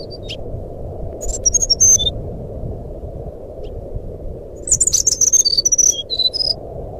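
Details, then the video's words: Fluting song of a jungle flycatcher, played as a lure to draw song from a bird that has stopped singing: quick clusters of high pure whistles, rising and falling, in two bursts with a quiet gap between, against constant low background hiss. "suara burung sikatan rimba nyuling pancingan SRDC macet bunyi"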